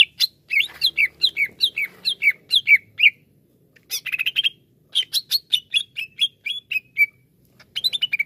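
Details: Greater green leafbird, a kept songbird, repeating paired downslurred whistles about three times a second, then buzzy chatter and another run of bright chips trailing off.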